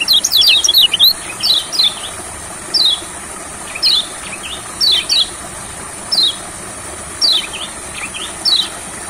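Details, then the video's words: Olive-backed sunbird outdoors among rice fields, brought there to get a lazy bird singing: a quick cluster of high chirps at the start, then evenly spaced thin, sharp, descending notes about once a second, with a constant shrill background tone. "Terapi Kecial Kuning Di Sawah Gacornya Kumat.!!! Kecial Yang Denger Juga Ikut Kumat"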